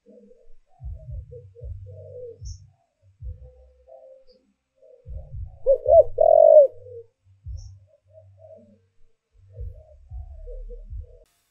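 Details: Spotted dove decoy cooing to lure wild doves: soft, scattered low coos, then one loud burst of rolling, hoarse coo notes near the middle, with deep low thumps repeating throughout.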